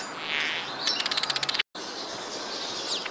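Village weaver giving a rapid run of about a dozen dry, buzzy ticks, then wheezy chattering notes, with other birds chirping in the background.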